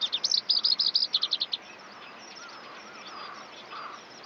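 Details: Eurasian skylark in song: a rapid series of high, repeated chirping notes for about a second and a half, fading into faint distant twittering with soft lower tones.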